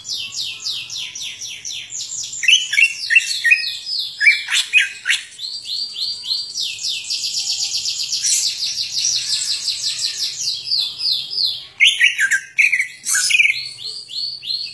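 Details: A greater green leafbird delivers a long, rich isian-style song of fast repeated high chirps and trills, with sweeping slurs and scratchy bursts, continuous for about fifteen seconds over a faint low hum.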